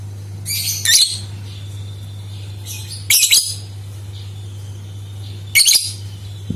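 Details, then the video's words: Lovebird sounds used to set other lovebirds singing: rasping, high, buzzy chirp bursts in three main groups a couple of seconds apart, softer thin notes between, steady low hum throughout. "Suara Burung Lovebird Untuk Pancingan | Dijamin 100 % Suara Pancingan Lovebird Gacor !!"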